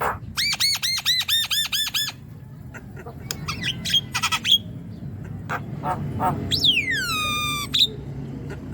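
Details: Javan myna song for stirring a quiet young myna to sing: a quick string of harsh arched notes, scattered clicks and squeaks, then a long falling whistle.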